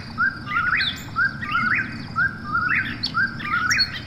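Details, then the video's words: Eastern whip-poor-will heard at night: clear repeated phrases close to one per second, low whistle then steep rising ending, with softer higher calls in the background over low ambient noise. "Eastern Whip-poor-will Call: Soothing Night Sounds"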